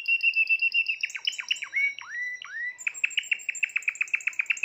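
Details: Timbrado canary from a 2020 collection sings a steady rolling trill, then a series of dropping and rising swoops, ending in a fast clicking metallic roll.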